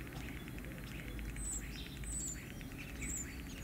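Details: Common starling in courtship and mating: very high whistled notes and short slurred phrases interspersed with clicks and rattling chatter, over a continuous low background rumble.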